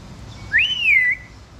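An African grey parrot gives a single clear whistle imitating a nightingale. The note swoops up, holds high, then slides gently down over half a second.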